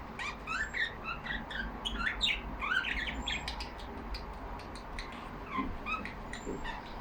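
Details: Pet budgerigars in a cage, Australian parakeets chattering among themselves: a steady flow of scratchy warbles, squawky notes and thin whistles, busiest in the first half, then softer scattered chirps.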